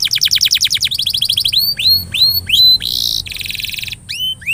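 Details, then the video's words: Canary lure song meant to prompt a stalled canary to sing: a fast high trill of short notes, then rising hooked whistles, a buzzy burst and a dense rattling trill, ending with more upslurred whistles. "Kenari gacor...!!! paling jitu memancing kenari macet jadi lebih rajin bunyi ( pancingan kenari)"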